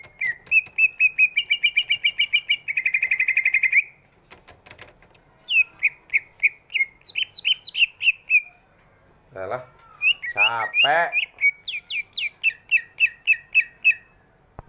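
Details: Large-bodied greater green leafbird, whose voice serves as a lure for birds that are slow to sing. A fast rattling trill of repeated whistled notes comes first, then clipped phrases of falling whistles, briefly broken by a harsh low burst.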